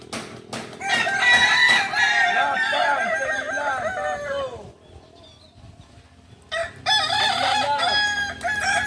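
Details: Native ornamental Kukuak Balenggek rooster from Solok, West Sumatra, at a practice contest, producing a long multi-syllable crow of arched, wavering notes for about four seconds, a near-silent gap, then another crowing bout.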